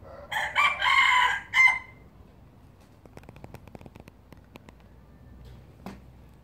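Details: Pure Laos red junglefowl breeder, 2016: a short, loud crow of several broken segments lasting about one and a half seconds, ending on a brief high note, followed by quiet with faint clicks and a soft knock.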